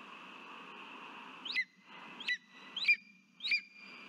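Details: Lesser spotted eagle (Clanga pomarina) at a Latvian nest, 3 September 2023: the bird, holding a frog, calls to its mate with four sharp, high yelping notes, each flicking upward, about every 0.6 seconds, over steady rushing noise strongest at the start.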